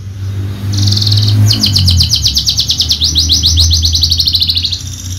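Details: Horsfield's bushlark of the Javan javanica type, a champion contest songster, gives a short high buzz then a long rapid string of bright chirping notes at a quick even tempo, over low background noise.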